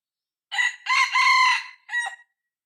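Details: A six-month-old decoy cockerel used to lure wild red junglefowl crows loudly: a short opening syllable, a long harsh sustained middle, then a clipped final note, with silence around it.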